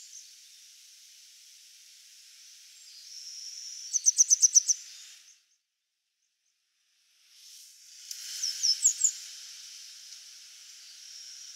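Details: Grey wagtail singing on an electric wire, identity only suspected: two short bursts of very high, sharp, quickly repeated notes, about six per burst, over a steady background hiss.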